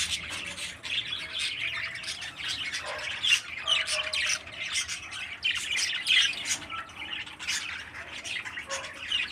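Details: A 13-day-old parakeet chick in captivity gives repeated scratchy, hissing squawks at an uneven pace, with faint lower tonal sounds in the background.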